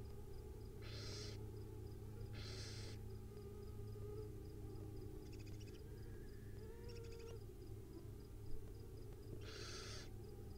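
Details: Wild owlets at dinner time on a live nest camera give long, harsh, broadband hissing screeches, three drawn-out bursts about a second each, with quieter raspy chittering between them over a steady low hum.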